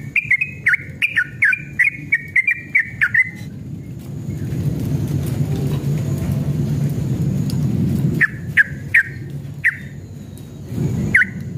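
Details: Fired-up Yellow-vented bulbul delivering a long 'ropel' song meant to provoke other trucukan into answering: a fast string of sharp chirping notes for about three seconds, a quiet stretch with low hum, then a few more chirps near the end.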